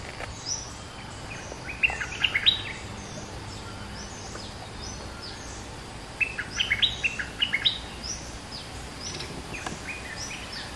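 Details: Lure-recorded song of a two-month caged bulbul: two separate clusters of sharp whistled chirps, each lasting under a second or so, divided by several seconds of quiet hiss.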